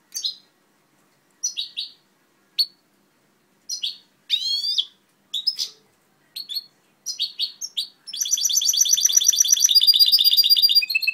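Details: Goldfinch hybrid from 2011 delivering scattered high chirps and a rising sweeping phrase, then breaking into a long continuous rapid trill of rattling, buzzy notes at the end.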